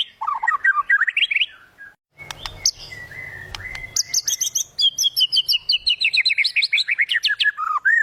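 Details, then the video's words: White-rumped shama delivering a lively gacor song with fill-ins, played to encourage silent shamas: rising whistled notes, scattered sharp ticks and a whistle, then a long rapid series of high, clipped notes descending gradually in pitch. "Suara burung murai batu bongkar isian gacor.. COCOK UNTUK murai macet bunyi.."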